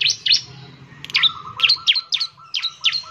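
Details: Bar-winged prinia singing to draw other prinias into song: spaced sharp, high chirps with short bursts, over a faint low whistled tone held beneath.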